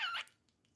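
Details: Pet cockatiel giving one short, loud, bright chirp with stacked harmonics. It lasts about a fifth of a second and is followed by near silence.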